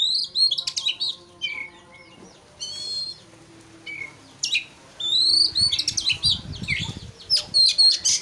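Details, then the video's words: Oriental magpie-robin singing in an agitated way to provoke a rival. There are varied chirps, a rapid rattling trill, quick squeaky notes and short whistles, with scattered pauses and low rumbling noise midway. "pancingan kacer emosi supaya lawan cepat ngotot/ emosi"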